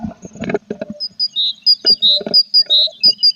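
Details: Tits at a nest box with chicks in late April, the nest filling with more and more feathers; high thin chirps repeated in a steady series, with soft rustling and tapping from inside the box.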